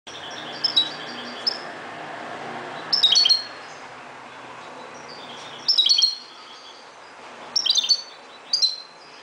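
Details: Moroccan European goldfinch singing at dawn: short bright bursts of twittering, tinkling notes roughly every two to three seconds, separated by pauses, over a low steady background hiss.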